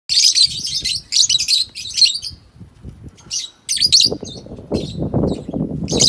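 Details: Caged African lovebirds kept as pets in Kannur: shrill, buzzy high-pitched chattering in bursts, with background rustling and thumps.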